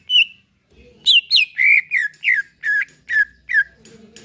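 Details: Greater green leafbird, a caged bird, in a calm, relaxed song used to prompt other birds to sing: clear whistled notes with sharp downward and upward slurs, delivered in quick bursts about every quarter second, with faint low rustling between phrases.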